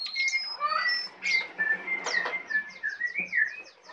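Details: A tame Brown prinia in 'isian' song; clear, steady whistled notes, a wavering whistle, then a fast series of about nine short, even, downslurred chirps.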